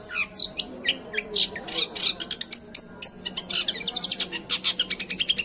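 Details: Unedited long-tailed shrike song, used to excite silent or stressed shrikes: a fast, scratchy chatter of high notes with brief thin whistles, speeding into a rapid run of repeated clicks near the end.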